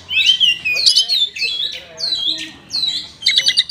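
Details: Oriental magpie-robin, a caged bird singing its rich fill-in song to prompt lazy birds to sing. Long sliding whistles waver and descend, ending in a short burst of fast, high stuttered notes.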